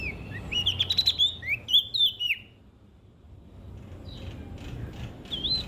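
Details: Olive-backed tailorbird, West Nusa Tenggara, Indonesia, in vigorous song meant to trigger other birds: a fast cluster of bright, upward-slurred chirps, a pause, then faint notes returning.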